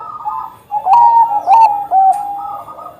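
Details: Bangkok-type zebra dove in full song: mellow layered coos, then a loud rolling burst of quick staccato notes falling and rising, sharp ticks between phrases; used to lure other Bangkok zebra doves into singing.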